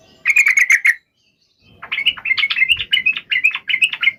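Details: Yellow-vented bulbul (trucuk) giving its sharp fighting song to draw answers from other birds. A quick chattering burst is followed by a pause, then a bubbling string of warbled, rising and falling notes.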